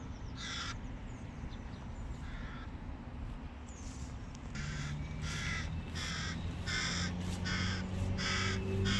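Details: Hooded crows, a parent pair with their chicks at a first look at the young, give harsh, raspy caws in quick bursts over a steady low rumble.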